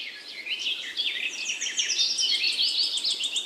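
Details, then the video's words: Forest birds chirping in a hilly jungle, a busy overlapping chorus of quick high twittering notes and short buzzy trills over steady background hiss. "Birds Chirping sound in the Forest, Jungle,Pahar"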